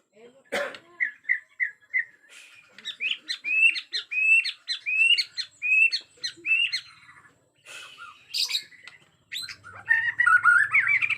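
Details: Agitated Bornean white-rumped shama in the forest: a sharp opening note, short whistled triplets, then a fast run of varied rising and falling notes and squeaks.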